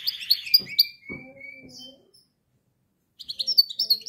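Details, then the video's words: Canary song for training canaries: bright twittering and a few drawn-out whistles, a few low sounds in the background, then a silent gap before quick high chirps resume. "canary singing"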